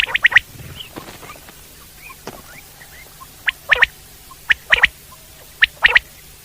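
Common quail giving sharp, liquid three-note phrases, 'whit-whit-whit', repeated about once a second in short bursts. Faint clicks and soft background noise between phrases.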